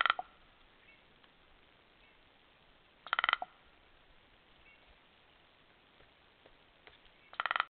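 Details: Common raven, feeding on the remains of a wild horse, gives three short, harsh, grating croaks spaced about three to four seconds apart against a quiet background.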